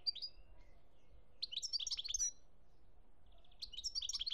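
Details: European goldfinch singing in Algeria, 2017: three bursts of rapid, high, liquid twittering and tinkling notes, each under a second long and separated by short pauses, over a faint low background rumble.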